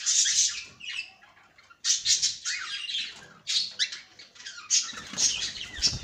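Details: Caged cockatiel uttering loud, harsh, high squawks in uneven bursts with short gaps, plus faint rustling.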